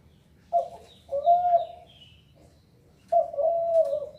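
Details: Zebra dove cooing: three mellow, slightly wavering low coos, a short one followed by two longer drawn-out notes, separated by pauses of about a second, with faint higher chirps in a quiet background.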